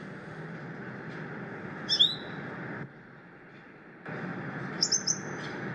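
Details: Asian glossy starling (Aplonis panayensis), calls.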